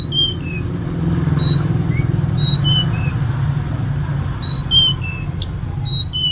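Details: Female Sunda robin calls meant to draw in the male. Pure high whistles step down in pitch across short phrases and repeat several times over a constant low rumbling background.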